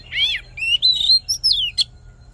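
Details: Short fighting-song phrase of an Oriental magpie-robin for voice training: an arched whistle, then a sustained rich whistled note, a high falling slur and a sharp final click-like note.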